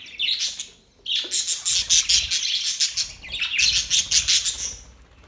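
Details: Budgies from Australia give rapid, buzzy chattering chirps, two long excited bursts after a brief opening phrase, high and scratchy throughout.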